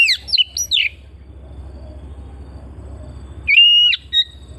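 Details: Home-kept Oriental magpie-robin: a cluster of quick chirpy notes, a pause of over two seconds, then one long steady whistle followed by a short note; faint hum underneath.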